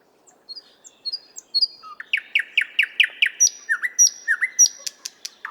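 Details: Singing nightingale in the 50th Anniversary of October park, Moscow: quiet piping high notes building into a series of descending whistled slurs repeated about twice a second, interspersed with sharp clicks.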